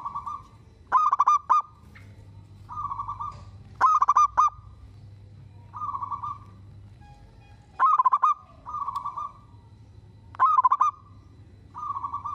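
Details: Zebra dove, a local bird singing keenly and said to make every other zebra dove answer: repeated phrases alternating a plain sustained coo with bursts of rapid stuttered notes, about five bursts over twelve seconds, with a low hum behind.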